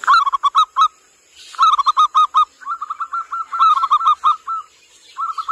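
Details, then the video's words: Zebra dove lure call for attracting wild birds: rapid runs of short, cooing notes repeated in bursts with brief pauses, several phrases over a few seconds, a faint steady high hiss in the background. "Suara Pikat Perkutut Lokal"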